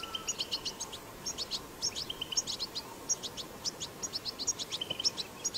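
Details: Recorded in the wild, a goldfinch delivering strong 'batbata' chatter: pulses of sharp, high twittering notes mixed with short flat whistles, steady throughout, over faint low noise.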